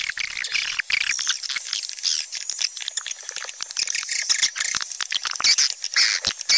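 Swiftlets twittering in a dense chorus, with high, sharp chirps overlapping almost continuously at an irregular, rapid pace.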